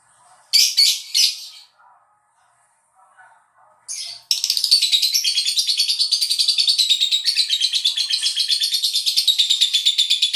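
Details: Lovebird singing as a lure to provoke other lovebirds into answering: two short rasping bursts, a quiet gap with soft chirps, then a long unbroken run of rapid, evenly pulsed, scratchy chatter lasting about six seconds.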